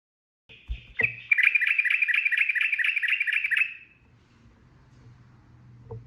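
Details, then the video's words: Sooty-headed bulbul in rapid 'ropel' style song: a long, fast run of bright, bubbling chirped notes repeated roughly twice a second, fading out after a few seconds, with faint low rumbling noise afterward. "SUARA TRUCUKAN ROPEL GACOR"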